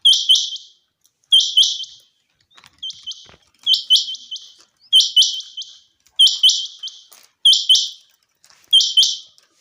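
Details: Steady series of common quail calls from a summer meadow: doubled and tripled sharp high notes repeated roughly every one to two seconds, with one fainter phrase among the loud ones.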